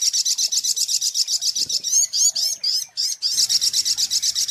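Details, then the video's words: Sunbird (sogok ontong) lure song: rapid high-pitched trill of buzzy repeated notes, about four per second, broken midway by a few sharp down-slurred chips before the fast trill resumes. "SUARA PIKAT mp3 BURUNG SOGOK ONTONG PALING TOKCER"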